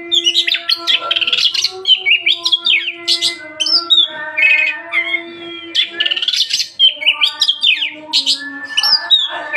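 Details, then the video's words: Oriental magpie-robin, a kept bird singing vigorously: a rich, varied run of loud whistles, slurred notes and short chattering phrases in quick succession, with brief pauses, over a steady low electronic-sounding tone. "KICAUAN BURUNG KACER GACOR"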